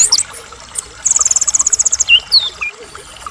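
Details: White-rumped shama song used to stir other shamas to sing: a fast, high, evenly spaced trill of about fifteen notes, followed by short slurred whistles, fairly soft.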